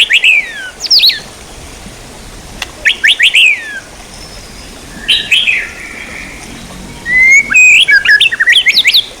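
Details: White-rumped shama, training material for songbirds: short bursts of rich, sliding whistles and sharp downslurred notes, separated by pauses of about two seconds, ending in a longer rising, varied phrase.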